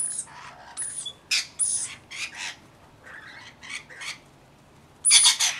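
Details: Rainbow lorikeets bathing and feeding utter rasping squawks and shrill chatter in uneven groups. A quieter stretch ends with a sudden loud burst of screeching.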